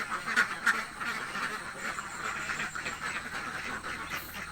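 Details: Very hungry ducks in a village flock, many birds quacking at once in rapid, uneven bursts, about three quacks per second, with two louder harsh quacks near the start.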